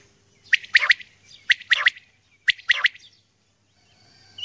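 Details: A female common quail calling in the early morning gives three raspy, high, clustered call bursts about once a second, with quiet surroundings and a faint hum near the end.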